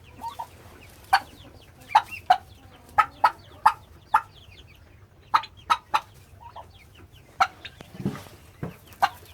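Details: Domestic turkeys being raised by their keeper give short, abrupt clucking notes, about fifteen in nine seconds at an uneven pace, over a soft low rumble.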